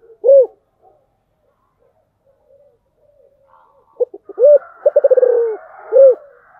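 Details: Spotted dove song in the distinctive 'giọng thổ' style. A single arched coo, a quiet pause, then clipped notes, a coo, a quick burst of repeated pulses melting into a falling coo, and a last coo. Faint higher chatter sounds behind.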